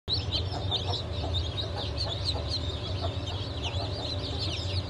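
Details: Newly hatched Brahma and Wyandotte chicks, hatched 4 August 2024, peeping in a dense overlapping chorus of short high chirps, with a steady low hum underneath throughout.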